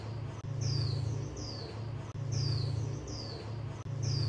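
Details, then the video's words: Female white-eye calls, kept for training birds that do not sing: thin, high whistles that slide downward, given in close pairs and repeated about every second and a half over a steady low electrical hum. "Khuyên mái 2024 hàng giành cho chim câm"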